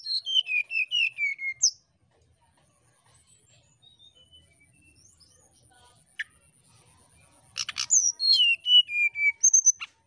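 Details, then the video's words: Brown-chested jungle flycatcher giving nyuling song to provoke a rival: a fast run of pure whistles falling in pitch, a long quiet gap, then a clicky burst and another descending whistled series. "Burung Sikatan Rimba (SRDC) Nyuling Memancing Lawan"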